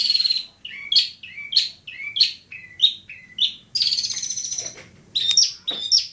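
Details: Long-tailed shrike from Bobotsari in a fast run of about eight paired notes, a low chirp followed by a high upswept whistle, then a long grating buzz and a few scratchy, sliding calls.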